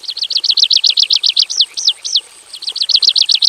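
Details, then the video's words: Javan bush lark singing a lively full-filler (isian) song in a simple aviary cage: rapid high arched notes repeated about four per second, a short pause of slower looping notes, then the quick series resumes. "KICAU SUARA BURUNG BRANJANGAN JAVANICA GACOR FULL ISIAN BIKIN MERDU DI KANDANG AVIARY SEDERHANA"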